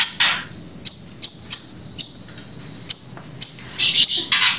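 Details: Grey-breasted prinia in lively song joined with siri-siri song: thin, high downward-sliding whistles spaced about every half second, ending in a denser run of scratchy chirps.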